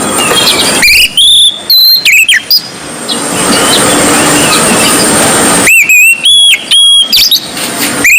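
Oriental magpie-robin singing loud, clear whistled phrases with sharp slurred notes, delivered in two bursts separated by a quiet stretch of background hiss.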